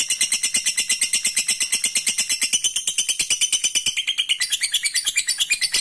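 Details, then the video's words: Lovebird giving a long 'ngekek' trill used to provoke rival birds into trilling; an unbroken, harsh, high chattering run of notes at a steady quick pace, several per second, throughout. "Suara burung Lovebird ini ampuh bikin lawan jadi ngekek terus dan jadikan mental fighter"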